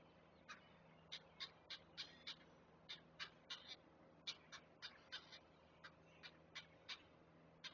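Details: Great blue heron nestlings begging while the adult brings food, Chesapeake nest: persistent sharp ticking notes about three per second, fairly steady for the whole stretch, over low background hum.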